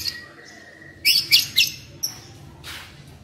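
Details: White-rumped shama kept as a decoy bird, singing: a long steady thin whistle, then three loud, rich, ringing phrases in quick succession, a short high note, and a brief harsh burst near the end.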